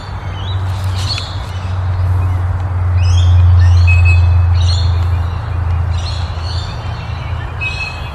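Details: A pale-headed rosella gives bright, metallic chattering calls in short bursts about once a second, recorded on June 11, over a steady low engine-like rumble.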